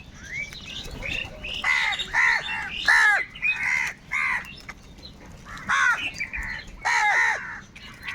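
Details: Crows in large numbers squabble over food, giving a steady run of loud, raspy, arching caws, several per second at times, with other crows calling behind.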